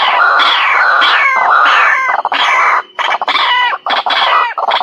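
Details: White-breasted waterhen calls, recorded for use as a lure: loud, harsh, nasal croaking notes in dense overlapping bursts. Some strokes slide downward, and they repeat roughly once a second with short gaps near the end.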